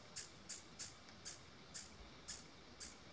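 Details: A female white- or purple-throated mountain-gem, species uncertain, gives alarm calls in cloud forest at 1975 m in Boquete, Panama, possibly at a soaring ornate hawk-eagle: sharp, very high chips, seven in about three seconds at an uneven pace, over a soft, steady hiss.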